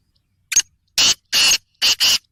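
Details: Harsh call of a Black francolin, a short opening note and then four coarse, hissing, scratchy bursts, the middle one longest, with nothing else audible.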